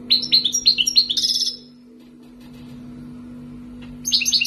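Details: A wild-caught European goldfinch, raised for two years in Algeria, sings quick, liquid high twitters mixed with buzzy trills. A pause follows, then the twittering resumes, over a steady low indoor hum.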